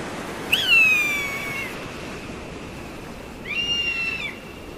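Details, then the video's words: An eagle, used as a master-song lure recording, gives two drawn-out, high whistled screams: the first jumps up then slowly slides down, the second holds flatter, over a steady background hiss. "SUARA MASTER BURUNG ELANG"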